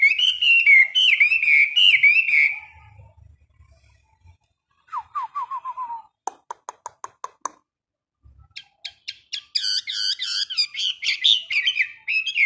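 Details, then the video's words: Chinese hwamei in a cage singing in the morning during daily training: bursts of rich whistled phrases, a quiet stretch of descending whistles and sharp clicking notes, then a renewed loud run of warbled whistles. "Luyện hót cho họa mi mỗi ngày 15 phút vào buổi sáng"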